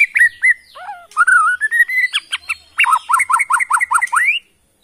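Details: Kalimantan forest white-rumped shama from Borneo, a kept songbird, singing loud rich whistles, slurred phrases and a fast run of repeated sharp downslurred notes.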